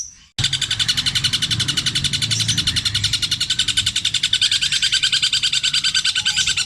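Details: Caged long-tailed shrike from Java, Indonesia, in mimicry song, petir style with long repeated phrases. The whole stretch is a continuous, dense, rapid buzzy rattle.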